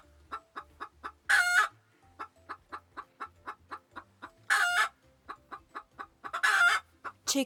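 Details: Farmyard chicken giving a steady run of short, clipped clucks about three per second, broken by several loud, raspy cackling squawks, over faint low background music.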